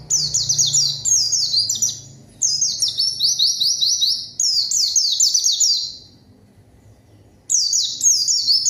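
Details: Loud, lively white-eye song used to call up a rival and stir silent birds into song: long chains of fast, high-pitched descending chirps in three runs, a pause of over a second, then a fresh burst.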